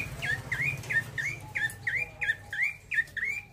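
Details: Close, loud 'ngeroll' rolling song from a male bar-winged prinia: about ten crisp, upward-hooked whistled chirps delivered quickly and evenly, over a low humming background.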